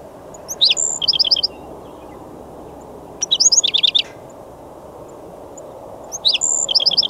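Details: Black-throated Sparrow song, recorded toward the end of the season as breeding began: three bright phrases about every 2.8 seconds, each opening with clear high notes and ending in a fast tinkling trill, over a low steady hum.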